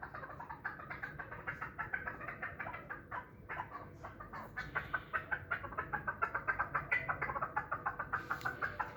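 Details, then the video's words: Yearling hybrid chukar used for fighting and hunting delivers a long stream of rapid clucking pulses, steady throughout and growing into sharper, evenly spaced beats toward the end, over a low background hum. "Кабки Гибрид"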